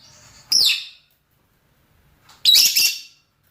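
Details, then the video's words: Rosy-faced or Fischer's lovebirds, male and female, calling to each other for mating: two loud, shrill, harsh chirps about two seconds apart, each sweeping down from a high squeal, with silence between. "نداءات ذكور وإناث طيور الروز والفيشر من أجل التزاوج"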